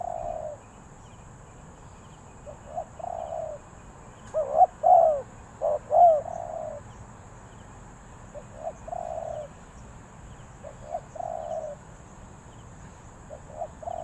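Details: Spotted dove in the three-kuk drooping style, Ninh Thuận, Vietnam: soft, low coo phrases with one louder, clearer multi-note phrase in the middle, against quiet background hiss.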